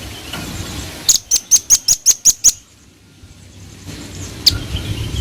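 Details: Velvet-fronted nuthatch in lively song: a quick burst of seven sharp, high, piercing notes over about one and a half seconds, then a pause and one more isolated sharp note over soft background hiss.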